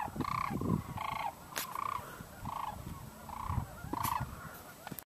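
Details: Cranes in 2012 call repeatedly: harsh, bugling notes with rolling, rattled edges, about one every half second to one second in a steady series, with some clicks and low background noise.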